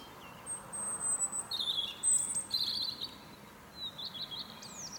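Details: Morning song of a European robin on a fir tree: long thin high whistles alternating with short warbled trills, soft and fairly continuous.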